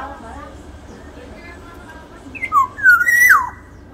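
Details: Large-bodied Sumbawa black-naped oriole giving a short burst of loud, fluty whistles, slurring down in pitch, after a stretch of quiet room noise.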